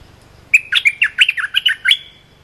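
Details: Cream-vented bulbul training song, a short song for teaching young or silent birds. One lively phrase of about ten bubbly, warbled notes tumbles up and down, then fades into a faint high whistle.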